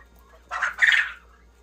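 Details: Japanese quail, one of a flock kept for egg production in a three-tier cage, gives two quick, harsh, buzzy bursts less than half a second apart, mid-pitched and raspy, against a quiet low hum.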